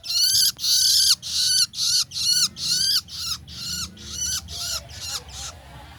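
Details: Young long-tailed shrike calling insistently with grating, scratchy squawks, roughly two per second, loud at first and gradually fading, a low background hum underneath.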